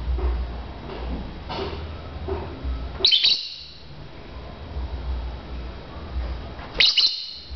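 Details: Lovebird chirping contest between birds: two sharp, high chirp bursts, one at about three seconds and another near the end, separated by a stretch of low background rumble.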